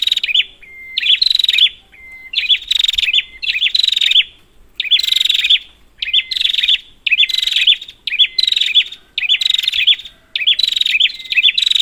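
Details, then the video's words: Lure recording of a prinia meant to set quiet birds calling: bright, buzzy trilled bursts with looping notes come in quick succession, each linked by a flat pure tone, many repeats over a clean background. "Prenjak, Pancingan ampuh untuk burung prenjak macet"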